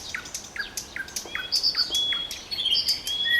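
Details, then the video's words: Song of the common nightingale: a string of repeated down-slurred notes, then long pure whistles held at a steady pitch, with scattered high chips. "Трели соловья"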